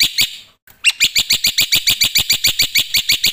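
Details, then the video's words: Black-winged myna delivering loud song, a short gap followed by an even train of rasping, high chirps at roughly four per second. "suara KERAS jalak putih gacor full isian"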